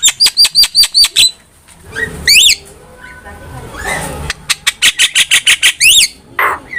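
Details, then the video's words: Javan myna song used as a master recording for cage-bird training. It opens with fast repeated chirps, then buzzy, harsh squawks and rising whistles, and ends with another quick chirp series. "MASTERAN JALAK KEBO GACOR"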